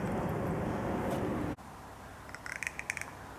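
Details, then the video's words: A crow gives a rattle call, a quick, uneven run of dry clacks and clicks lasting under a second, after a stretch of steady low rumbling noise. "Crow Clacking Clicking Sound"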